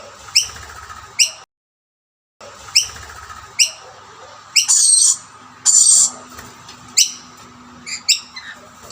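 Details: Rainbow lorikeets (Trichoglossus moluccanus) at two snack plates, where a dominant male chases away all birds but his own family, give sharp, high chirps about once a second, broken by two longer, harsh screeches.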